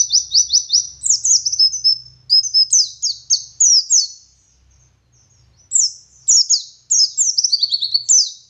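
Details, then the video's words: Training song of a West Java dakun white-eye in gacor ngalas style: rapid runs of bright, high downslurred whistles, one brief silent gap midway, then more tumbling twittered phrases. "Burung Pleci Gacor Ngalas Wit Wit Sambung Ngeriwik Full Isian"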